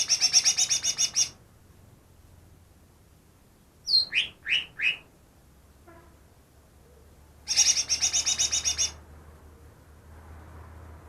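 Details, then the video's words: Greater green leafbird caught two days earlier, said to mimic ten other bird species: a rapid buzzy chattering trill, a few sharp downslurred whistled notes, then another long chattering burst; quiet low hum between phrases. "burung cucak ijo yang bisa meniru 10 suara burung lain"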